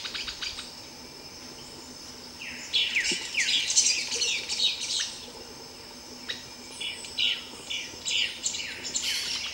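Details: Streaked flycatcher giving bursts of squeaky, downslurred high notes in clusters, with a quiet gap between bursts and faint insect-like hiss behind.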